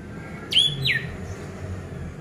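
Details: Orange-headed thrush song played to prompt silent birds to sing: two quick whistled notes, each sliding steeply downward, the second ending lower, over a faint low hum.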